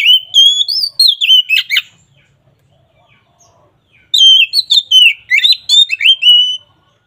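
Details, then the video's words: Loud, open 'ngeplong' song of an oriental magpie-robin, used to coax a reluctant bird to sing: sweet whistled notes sliding up and down, mixed with sharp trills. Two phrases are split by a silent gap. "SUARA BURUNG KACER NGEPLONG AMPUH UNTUK PANCINGAN KACER MALAS BUNYI"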